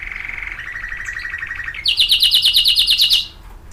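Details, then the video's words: Caged canary song: a steady rolling trill that steps down slightly, then jumps to a louder, faster, higher trill of crisp repeated notes about ten per second before stopping; soft background hum. "My canary"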